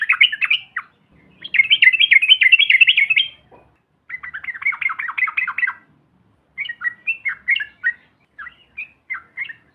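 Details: Yellow-vented bulbul chatter used as a lure to provoke other bulbuls into calling: four bursts of dense, bubbly, scratchy notes, the longest about two seconds, separated by short silences. No other sounds are heard.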